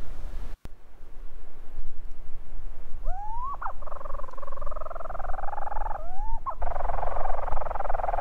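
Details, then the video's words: Leach's storm petrel at night on the Hornøya bird cliff, 10 September 2016: a rising nasal note leads into a long, wavering churr, then another upswept note, with heavy wind rumble throughout. "Leach´s Storm Petrel night"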